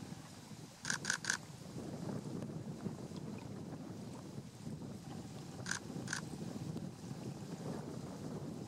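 Dunlin giving short, harsh, rasping notes, a quick burst of three and later a pair, over a steady low rumble of wind and water.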